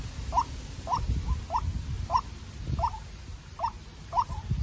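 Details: Decoy White-breasted Waterhen in a fierce exchange with a wild rival: seven short rising notes about every 0.6 seconds, each with a faint echo, over a rumbling background.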